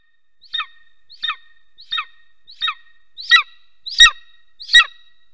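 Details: Golden eagles mating at their nest in Soomaa National Park, southwestern Estonia, recorded by a nest camera on 17 March 2024 at 10:47 am; a series of seven sharp, descending yelps, about every 0.6 s, louder toward the end.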